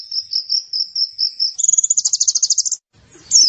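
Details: High white-eye song on a masteran for training birds: a string of short, evenly spaced whistled notes, then a fast pulsing trill, and a final sharp chirp after a brief pause.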